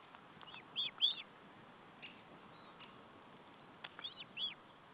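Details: Osprey at the nest during a meal, recorded 14 July 2012; paired high, whistled chirps, a couple at first, then a fainter cluster about three seconds later, with soft clicks between over a low background hiss.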